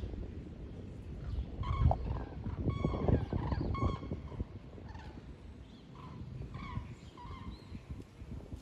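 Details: Thousands of common cranes migrating south in a broad front over the Wetterau, Hesse, Germany, on 22 October 2022, seen from Bad Nauheim; overlapping trumpeting, bugling calls from the flocks above steady low rumbling noise.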